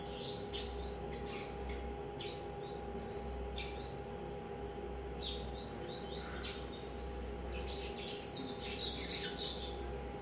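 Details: A three-month-old captive Double-collared Seedeater chick gives sharp, high chips at irregular intervals, then a brief high twittering burst, over a steady indoor mechanical hum.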